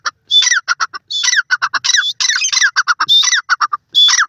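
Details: Teetar, the grey francolin, recorded at home giving a loud, harsh, shrill call of rasping notes repeated quickly in uneven groups, short gaps between phrases, no other sounds.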